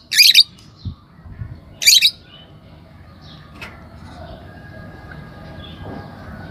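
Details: Caged green Fischer's lovebird pair giving two loud, shrill squawks about two seconds apart, followed by quiet background noise.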